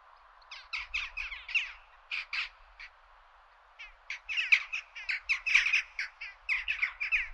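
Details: Several Western jackdaws (Coloeus monedula) giving sharp, squeaky 'tchak' calls in quick bursts, overlapping in a lively chatter with brief pauses between volleys.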